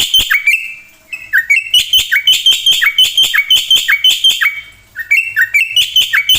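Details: Black-winged myna in full, mimicry-rich song used to train other birds; runs of sharp clicks and ringing whistles with falling slurs, broken by two brief pauses.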